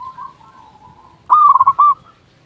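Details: Local zebra dove with a big voice, used to lure doves. A soft coo fades, then a single loud phrase of fast rolling cooing notes ends in a long final coo.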